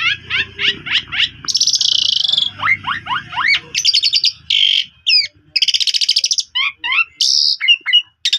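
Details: Asian pied starling song as a lure to restart a quiet bird: repeated rising chirps, harsh buzzy patches and quick whistles, with a faint low hum beneath the first half.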